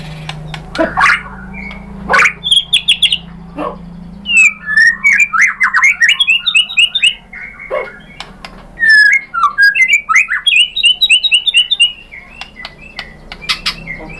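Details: White-rumped shama song played as a lure to provoke other birds: a long medley of loud chips, squeaky slurs and rapid twittering phrases, with sharp clicks at the start.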